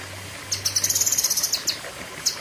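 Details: Cucak kinoi song burst: a quick string of thin, high chirps running for about a second, followed by a few spaced notes and a final pair, over soft low hum.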